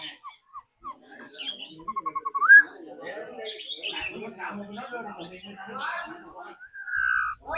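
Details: A laughingthrush being trained daily to sing and dance sings a rich, varied song: a quick run of repeated clear notes, a bright rising whistle, then tumbling warbled phrases ending in a long whistle.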